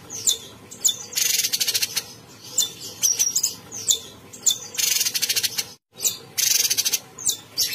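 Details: Constantly singing caged bulbul delivering repeated buzzy, rattling phrases of quick pulses mixed with short whistled slurs and chirps, with one brief gap of silence partway through.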